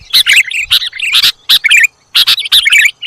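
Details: Sooty-headed bulbul audio used to lure birds: short, liquid, warbling chatter in rapid clusters, broken by brief pauses.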